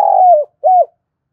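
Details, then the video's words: Decoy spotted dove calling to lure wild doves: a drawn-out falling coo followed by a shorter arched coo, clean and without other sounds. "cu gáy mồi gáy gọi vang cả xóm, tiếng cu gáy kích bổi nhanh nổi nhanh nổi hiệu quả mỗi ngày"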